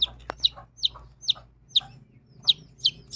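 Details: Chicks with a mother hen peeping in a quick series, about eight sharp high notes each dropping in pitch, roughly one every third of a second, with a single click near the start.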